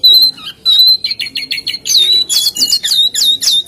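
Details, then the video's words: Singing jongkangan: one long steady whistle, then a quick sequence of buzzy notes and bright, sharply rising whistles delivered in rapid bursts. "SUARA BURUNG JONGKANGAN GACOR"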